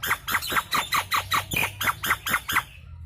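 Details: Nias hill myna lure recording: a rapid run of about a dozen loud, harsh squawking notes, evenly spaced at roughly four per second, with steady low hum beneath.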